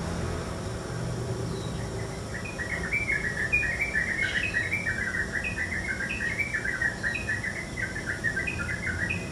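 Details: Yellow-vented bulbul calling early in the morning: after two quiet seconds, a lively run of short chirping notes, many per second, rising and falling in quick bursts, over a steady low background hum.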